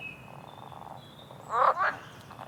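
A small bird gives a faint, thin high whistle, then two loud, harsh chirping notes in quick succession over quiet outdoor background noise.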